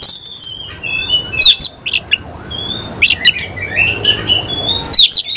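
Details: Oriental magpie-robin of the Cililin type spreads its tail while singing a fast, varied stream of whistles, trills and harsh chips, nearly unbroken.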